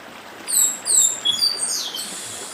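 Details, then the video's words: Papa-arroz of the Brazilian Northeast, dedim song by a stream: thin, high downward-sliding whistled notes tumbling quickly one after another over continuous water noise. "Papa Arroz Dedim com Som de Riacho (Papa arroz do Nordeste)"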